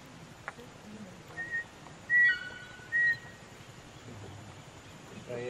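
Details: White-throated toucan, Rio Negro area, Amazon River Basin, July 2014: three or four short, loud, high yelping notes in a quick cluster over a low background murmur.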